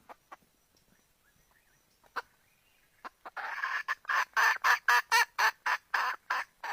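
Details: Red junglefowl hen: a few scattered soft clucks, then a rapid run of loud, harsh clucks about four per second, growing louder and steadier toward the end.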